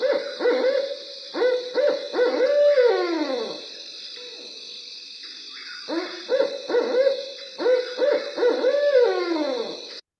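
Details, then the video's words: Barred Owl in New Hampshire giving its classic rhythmic 'who cooks for you, who cooks for you all' hoots twice, each phrase ending in a drawn-out falling 'all', over steady high insect buzz; hoots scare intruders, court mates, communicate. "And that call basically is, who cooks for you? Who cooks for you all? Ba, ba, ba, ba,"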